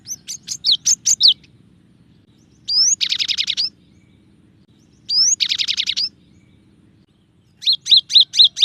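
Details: Cinereous tit singing a varied song: clusters of sharp high chirps, a rising whistle before dense buzzy rattling trills, then another run of quick repeated notes, with a faint low hum underneath.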